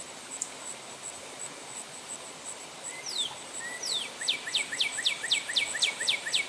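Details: Male northern cardinal singing at St. Johns Conservation: a few clear downslurred whistles, then a quick run of about a dozen sharp descending slurred notes, over a steady high insect buzz.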